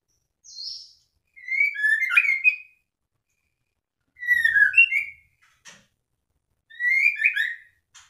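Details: Caged white-rumped shama (murai batu) in moult, still singing: three separate bursts of rich warbled whistles, each about a second long, spaced a few seconds apart in a quiet room.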